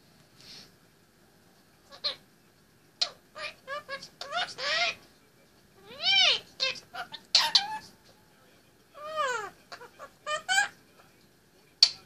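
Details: Pet Indian ringneck parakeet, 18 months old, chattering on its play stand with mimicked word-like syllables and several rising-falling whistled sweeps, delivered in irregular bursts with brief silences between.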